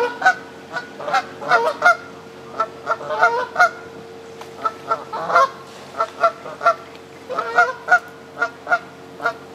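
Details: Canada geese on the South Pond in Midhurst, West Sussex, England: loud nasal two-part honks in irregular clusters, several birds calling in turn, with short pauses between groups and a constant faint hum beneath.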